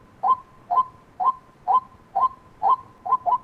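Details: White-breasted waterhen calling in a regular string of brief, emphatic notes roughly every half second, ending with two quick notes; a faint even tone runs throughout.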